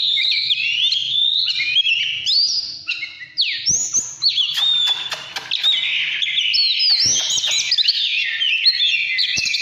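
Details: Oriental magpie-robin in 'căn lửa' song: a varied medley of whistles, quick trills and downward slides, broken by a few brief pauses and sharp ticks, with a low background hum.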